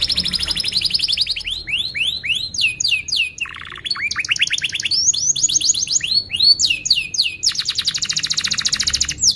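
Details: Canary lure song for teaching young canaries to sing and rousing birds that have stopped singing: fast rising whistled sweeps in series, a nasal low buzz, then a long dense high trill.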